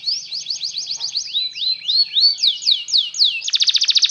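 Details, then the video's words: Canary song played to teach canaries to sing: quick rising chip notes slide into slower looping whistled phrases. It ends in a fast buzzy trill of evenly pulsed notes. "LONG CANARY SOUND"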